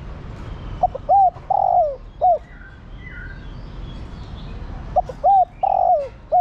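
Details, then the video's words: Two low cooing phrases from a female spotted dove calling for the male, about four seconds apart, each built of short hoots, a long falling coo and a clipped last note. Background is quiet. "Cu gáy mái thúc trống + gọi trống cực nhay"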